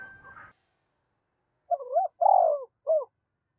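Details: Decoy spotted dove calling to attract wild doves. A brief scrape of noise opens, then silence, then a single soft three-part coo phrase: a double note, a long sliding coo and a short end note.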